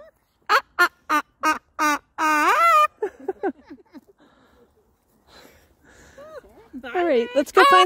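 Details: Joyful summer park sounds from a pet Moluccan cockatoo: five evenly spaced short barking notes, then a long wavering squawk, a lull with faint voices, and a burst of rising, warbling calls at the end.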